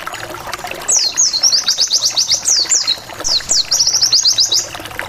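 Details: White-eye (pleci) wild-type song used to provoke rival white-eyes into answering: two fast series of very high, thin, descending whistled notes, about ten each, repeated "wit wit wit", over a steady low background noise.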